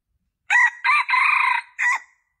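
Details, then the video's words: Junglefowl crow played as a lure for drawing in males, in four parts: two short harsh notes, a long vibrating middle note and a short ending note that trails off, against silence. "Suara Ayam Hutan Pikat Jantan Paling Ampuh"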